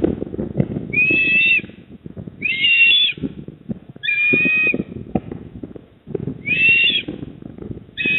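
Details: At a Port Lincoln nest in South Australia, an eastern osprey calls on 28 October 2024 at 19:26. Five strained whistled notes come roughly every one and a half seconds over a constant low rumble of wind.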